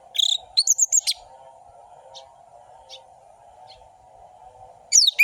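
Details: Orange-headed thrush song for provoking lazy birds to sing: a short, fast burst of sharp, varied whistles at the start, several seconds of near quiet with a few faint notes and a low hum, then another quick twisting phrase.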